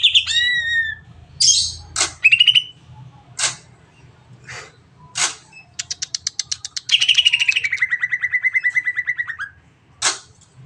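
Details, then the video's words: Greater green leafbird singing a long varied song, used to stimulate other birds to sing: sharp whistled chips and slurred notes, then a fast rattling trill sliding downward from high to lower pitch, with a low hum underneath. "CUCAK IJO NEMBAK PANJANG PAS BUAT MERANGSANG BURUNG LAIG AGAR CEPAT BUNYI"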